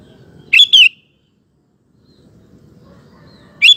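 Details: Sooty-headed bulbul singing strongly as a training lure for males: a clear paired whistled phrase early on, a long pause with faint background murmur, then another note beginning at the end.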